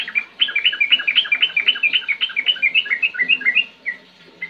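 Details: Sooty-headed bulbul singing clearly: a fast, steady string of short bubbly whistled notes, roughly four per second, ending with a couple of separate notes, over faint low background noise.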